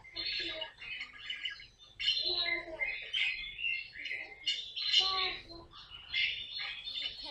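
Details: Pet caique parrot indoors in a comic scene: harsh squawks mixed with high chirping chatter, coming in uneven bursts that grow louder toward the middle.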